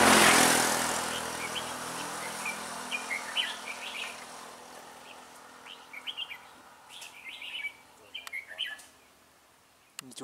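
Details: Red-whiskered bulbul singing as a trap decoy to lure rival birds, 17 November 2017: after a loud burst of handling noise, quick clusters of chirpy, warbled notes follow in irregular bursts, with a sharp knock near the end.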